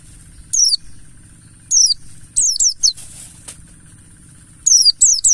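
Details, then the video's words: Mountain white-eye lure (Pleci Buxtoni ngalas) for making birds sing: scattered high falling chirps, single notes then triplets, with a short fluttery rustle midway and a continuous thin whine plus low rumble throughout. "Pancingan burung Pleci Buxtoni Ngalas"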